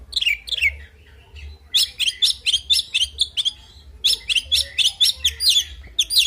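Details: Kacer, the oriental magpie-robin, singing its fighting song in two lively bursts of bright, sharp, rapidly repeated chirps, separated by a brief pause, with a soft low hum beneath.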